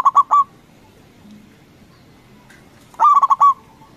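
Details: Zebra dove, a local bird with a strong voice, calling to stir rivals into answering. It gives two quick rolling phrases of purring coos, about three seconds apart, with quiet between them.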